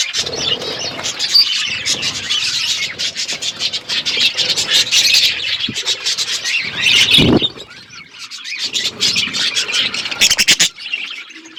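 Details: Parrot eating food, recorded February 25, 2024: a dense stream of high, rapid chirps and short squawks, with a brief loud burst near the middle, faint low rustling, and a quieter stretch toward the end.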